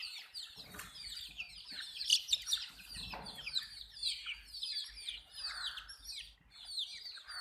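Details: Baby desi chickens at drinking water give a steady chorus of shrill falling peeps, dozens overlapping continuously, with a louder cluster of sharp chirps around the second second and soft shuffling noise underneath.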